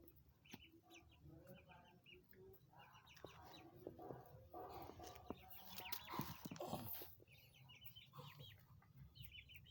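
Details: Nine 20-day-old chicks, kept since purchase, peeping in short high chirps in quick irregular runs, mixed with lower clucky notes, rustling and a burst of scratchy noise midway.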